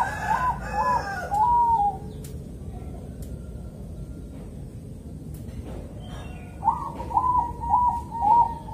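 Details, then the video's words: Bangkok zebra dove in calm rhythm song, meant to draw other zebra doves into singing: a few quick soft coos, a pause of several seconds, then another short run of bouncing cooing notes. "suara burung perkutut bangkok irama"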